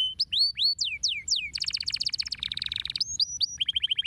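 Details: Canary singing, used to stimulate other birds to sing: opens with slurred whistled sweeps, then fast dense trills and a rapid repeated note series, ending in quick repeated chips over a faint low hum.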